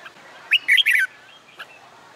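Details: Red-whiskered bulbul trained for singing contests, heard on a summer day: a single brisk phrase of four or five slurred, whistled notes dropping at the end, followed by a faint chirp.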